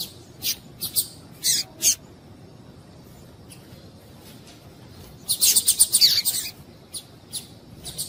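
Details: Female double-collared seedeater call intended to excite a male to sing: a few scattered high chips, a quiet pause of several seconds, then a fast chattering cluster of sharp notes trailing off into spaced chips.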